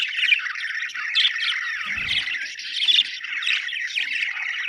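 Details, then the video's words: Budgerigars in a happy mood chirping nonstop, a dense stream of scratchy warbles and short tweets, interrupted by a brief low thump at the midpoint. "Australian beautiful birds sound #happy budgies chirping sound"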